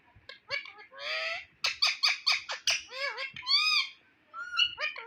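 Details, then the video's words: Pet Indian ringneck parrot mimicking human speech: dense, fast chatter of harmonic syllables, buzzy tones and gliding voice-like notes, nearly continuous for several seconds. "Ringneck Parrot Berbicara dan Mengatakan Bahasa Bahasa Luar"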